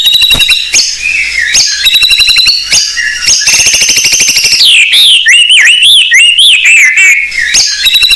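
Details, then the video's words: Blorok white-rumped shama in full song to lure other shamas: high, fast buzzy trills running into looping, wavering whistled phrases. "Murai Blorok Gacor Bongkar isian Pancingan Burung Murai Batu Bahan"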